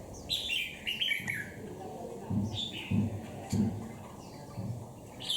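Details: Caged wild-caught red-whiskered bulbul, ten days in the cage: a few short warbled phrases near the start and end, with dull low thumps and background murmur between.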